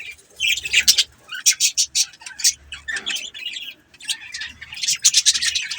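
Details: Budgies chatter loudly in dense trains of sharp, high chirps and clicks, with a short pause near the fourth second before the rapid chirping resumes. A low rumble runs beneath.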